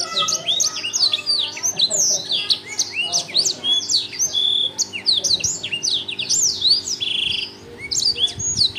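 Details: Energetic, loud Blackthroat song, a continuous stream of sharp high tweets, zips and rattling trills with a short steady buzzy note near the end, low hum in the background.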